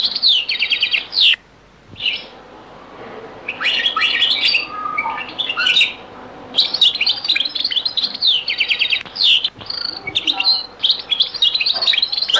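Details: European goldfinch singing the Beni Messous 'les avocats' (zaboka) song style in a very old recording; long, dense, high twittering phrases with rapid tinkling notes and trills, broken by short pauses around two and six seconds.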